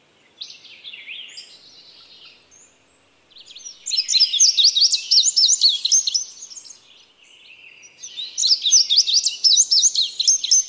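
Indigo bunting singing high, bright phrases of quick, often paired notes in bursts of about three seconds, with softer twittering between them.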